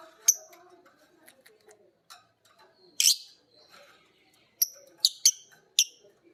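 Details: Violet green and pied lovebirds learning ngekek from each other, hearing their master: scattered thin high chirps over a quiet background with one short harsh rasp midway and a few sharp squeaks near the end.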